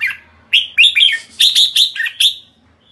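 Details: Red-whiskered bulbul giving a series of loud, bright chirping notes, clustered whistled phrases rising and falling, with short gaps between bursts.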